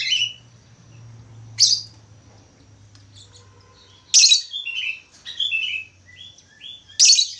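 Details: Energetic budgerigar song: loud, sharp chirps about every few seconds, with quick runs of short, high whistled notes between them and a faint low hum underneath.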